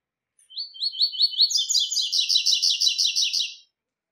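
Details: Brown double-collared seedeater giving its three-note 'tui tui' song: a rapid run of about fourteen short, high, buzzy chirps, two or three kinds alternating, rising slightly into a dense, even trill for three seconds, with silence before and after.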